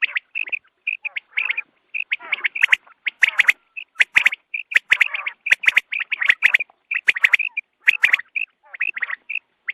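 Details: Quail calls for dawn hunting, a steady stream of short bright chirps and rattling trills packed closely together, broken by sharp broadband clicks, with several birds seemingly calling at once.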